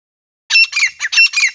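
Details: Harsh, scratchy notes from a male and female grey francolin pair in breeding season, used as a hunting sound: five quick grating bursts after a short silence.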